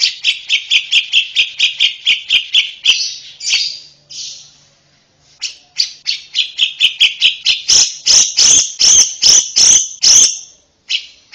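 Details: Female Oriental white-eye chattering in full ngeriwik song: quick, evenly repeated high chirps in steady runs, a brief pause, then louder, sharper chips toward the end.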